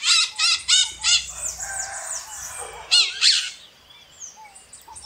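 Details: Screaming maritaca parrot giving a series of four harsh, raspy squawks about a third of a second apart, then a louder double screech near three seconds, followed by quieter chirps.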